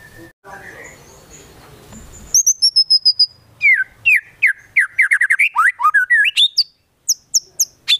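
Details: White-rumped shama (murai batu) song training track: a varied, rich run of whistles, sweeping slurred phrases and rapid chip notes, opening with a soft rising whistle, then dense jumbled phrases with short gaps.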